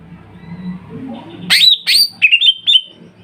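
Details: Greater green leafbird lure song: after a soft murmuring background, loud sharp notes sweep downward, followed by a quick run of short whistles.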